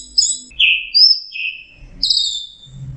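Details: Orange-headed thrush, locally called anis merah, a prized songbird, singing: high clear whistled phrases, some slurred and falling, others steady, separated by short pauses, with faint low rumbling in the background.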